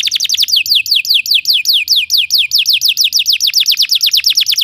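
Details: Belgian canary singing to train other canaries: a quick series of high descending whistled notes, repeated evenly at several per second throughout.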